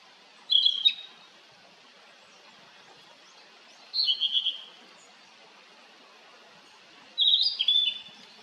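A blue-and-white flycatcher gives three short, high phrases about three seconds apart, each a bright whistle breaking into a quick run of clipped notes. Otherwise quiet.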